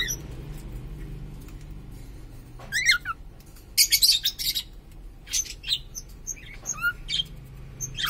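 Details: Pet cockatiel of unknown sex, kept indoors, giving scattered short bright chirps and a few squeaky rising notes, separated by quiet gaps, over a low steady room hum.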